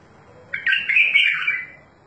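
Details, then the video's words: Bulbul singing: one rich, warbled phrase lasting just over a second, with fluttering, slightly buzzy notes in a mid-high register, set against a faint low hum. "اجمل تغريد بلبل"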